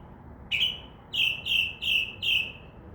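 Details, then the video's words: Northern mockingbird, a mimic heard from a window as it sings in a tree near midnight; five loud, harsh, nasal notes, the first alone, then four in an even quick series, against a quiet background. "mocking bird makes crow sound, dove wing sounds and others"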